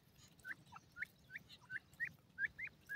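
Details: Grey francolin chicks in Pakistan, feeding and playing, utter about eight clear, short upward-inflected peeps spaced roughly every third of a second over faint low hum.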